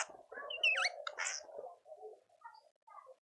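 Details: Speckled mousebird at a feeder in a suburban garden in Pretoria, South Africa: sharp whistled notes that dip and rise in a V shape, with soft low murmuring calls from other birds running steadily underneath.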